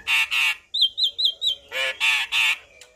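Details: A Javan myna sings a loud mix of harsh, grating squawks and short, bright whistled notes, each burst under half a second long.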